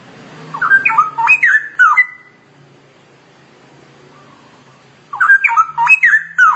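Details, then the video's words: Masteran chatter from a straw-headed bulbul: a rapid, liquid, jumping whistled phrase, a quiet gap of about three seconds with soft background hum, then another matching burst of warbling. "Kicau Cucak Rowo Ngoceh Masteran"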